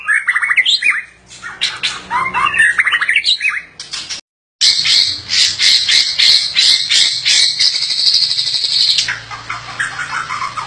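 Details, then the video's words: White-rumped shama (murai batu) while mating: fast varied chattering and whistled phrases, a brief silence, then a dense high buzzy trill of rapid repeated notes before softer calls resume. "Begini kalau murai batu kawin...???!!"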